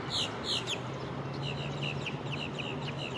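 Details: Nanday parakeet in Land O' Lakes, Florida, in November 2023: loud harsh screeches open the recording, then a run of rapid, repeated chattering notes over a low steady hum.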